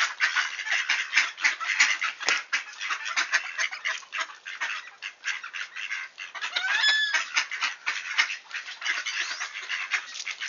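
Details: Returning wood ducks in Sainte-Adèle, Quebec, Canada, early on a cold clear October 2024 morning: a continuous babble of many short overlapping calls, with one clear rising squealing whistle near the seventh second.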